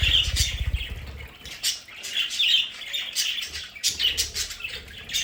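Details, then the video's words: Home-kept budgerigars chatter with warbling, scratchy chirps and squawks, opening over fluttering wingbeats, then steady overlapping calls from several birds. "Sonidos de budgies para Budgies en casa"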